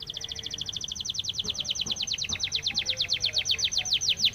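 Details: Spanish timbrado canary training song, one long unbroken rolling trill of fast, even, ringing notes that holds steady for over four seconds.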